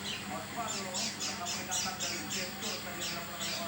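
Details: Oriental white-eye giving an unusual harsh call: quick, irregular scratchy high notes around three to four per second, some louder bursts, with steady low hum behind.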